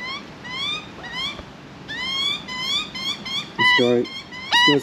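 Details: Juvenile Australian magpie in Australia begging for food: a string of softer, nasal, rising squawks, followed near the end by a person speaking briefly over the calls.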